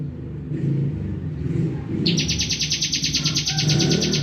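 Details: Heavy vehicle rumble fills the opening, then a bar-winged prinia breaks in with a fast, rhythmic high buzzy trill, sung in 'full bren' fashion and running to the end.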